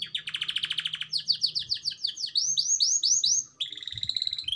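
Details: Canary singing a black-throat song mixed with prinia; a rapid buzzy rattle, then a long series of quick swooping whistles repeated about eight times a second, closing with a steady trilled phrase.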